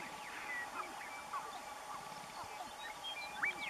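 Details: Sharp-tailed grouse; display calls; courtship display at a lek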